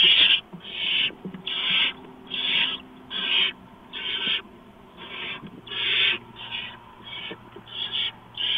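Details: Barn owls at their nest during prey delivery of a mouse, 4:26 AM, 6 March 2015. There is a long run of roughly a dozen short, grating hisses, a few quieter than others, with a low steady hum.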